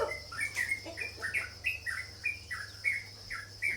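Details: Sooty-headed bulbul uttering a string of crisp, sliding chirps, roughly three each second, fairly regular, against a constant thin tone and hum.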